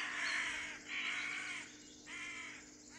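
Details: Northern hawk-owl at a nest in Estonia, spring/summer 2013, giving three harsh, hissing screeches, each under a second long, about one per second, over a faint steady hum.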